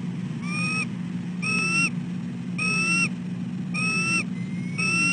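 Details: A nesting female bald eagle calling again and again at dawn for her mate to relieve her on the egg; five evenly paced, rising whistled notes about one second apart against a constant low electrical-sounding hum.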